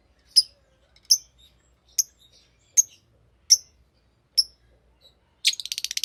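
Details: Green lovebird uttering single clipped high chirps spaced under a second apart, six in a row, ending in a quick rattling chatter of rapid notes.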